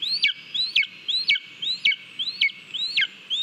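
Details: Lesser spotted eagle at a Latvian nest on 18 July 2022, where the young eagle Hugo eats a mole on his own, gives six high, thin whistled yelps, each rising then dropping sharply, about two per second over a soft low rumble.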